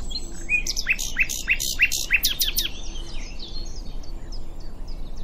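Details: Common nightingale at Diddington delivering a loud song phrase: a run of sharp, rapidly repeated chopping notes, then quieter whistled fragments trailing off, with distant birds chirping behind.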